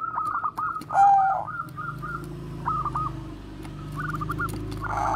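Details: Zebra dove of the Bangkok strain singing koar-koar coos meant to draw in other doves: one loud, rounded coo phrase, then quieter, quick stuttering notes trailing off over low background hum.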